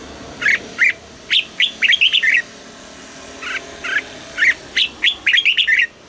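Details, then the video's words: Red-whiskered bulbul, in the southern master song style, played to excite caged birds and teach young ones: loud, bright, liquid chirped notes in lively bursts of several quick phrases, separated by a short pause. "เสียงนกกรงหัวจุก สำหรับต่อ หรือ เปิดให้นกคึก เสียงเพราะๆ"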